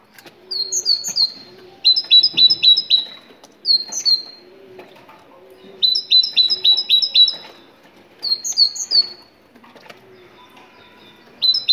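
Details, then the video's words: Moroccan tit singing to encourage other tits to sing: repeated bursts of quick, ringing whistles, some phrases fast and trill-like, others slower paired notes, recurring every couple of seconds. "تغريد الحداد المغربي الأصيل ماشاء الله ❤️❤️ روعة لتحفيز القرقف على التغريد"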